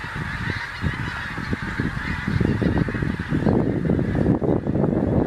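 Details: Geese arriving in a skein over the Lancashire moss-lands at Ormskirk Moss as the season turns: a continuous chorus of overlapping low honks, busy and uneven throughout, against a broad hiss of open-air noise.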